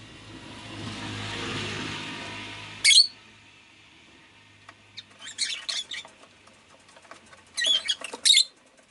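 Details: Pet rosy-faced lovebird amid city noise: a low rumbling engine-like hum fills the first three seconds, then sharp squeaky chirps and scratchy notes follow, with a shrill double burst near the end.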